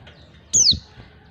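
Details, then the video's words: Female white-eye calling to attract males: one sharp, high whistled note sliding steeply downward, about a quarter second long, with faint low thumps beneath. "panggilan pleci betina. pleci jantan auto nyawut"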